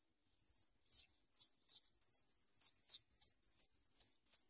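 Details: Sprague's pipit nestlings at feeding time, brought big worms by a parent: loud, harsh, very high chirps in quick succession, roughly three per second, with no other sounds.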